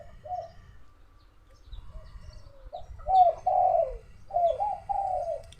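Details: Spotted dove cooing near noon under overcast skies threatening rain, in Thailand; soft faint opening notes, then louder drawn-out mellow coos falling slightly in pitch, delivered in two close groups.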